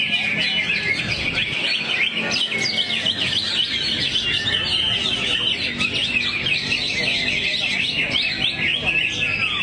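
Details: In a crouched 'teler' posture, a greater green leafbird keeps up a long, steady outpouring of varied song: bright chirps, whistled slurs and trills stacked densely without gaps.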